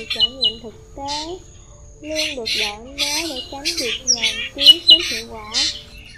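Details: Black drongo calling the flock, a recording played to lure migrating birds into nets: a few separate sliding whistles, then a busy run of metallic squawks and swooping harmonic notes.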